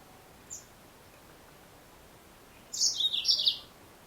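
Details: Yellow-fronted Canary, a female, gives a single faint high tick, then after a pause a short burst of rapid, sharp, high twittering notes, against a quiet hissy background.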